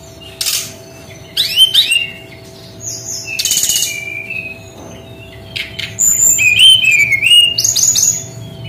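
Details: Brown-chested jungle flycatcher singing in the 'tembakan' style: scattered high whistled notes and a buzzy burst, building into a sustained passage of rising and falling whistles and trills, with a constant low hum behind.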